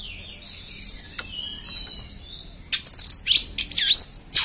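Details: Oriental magpie-robin singing harsh 'beset' phrases: a thin high whistle and steady buzzy tone at first, then a rapid burst of scratchy notes and sharp up-and-down whistled sweeps.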